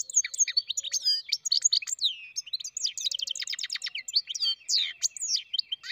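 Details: Continuous twittering song of a goldfinch-canary mule, dense high chirps and downslurred whistles with rapid repeated trill phrases in the middle.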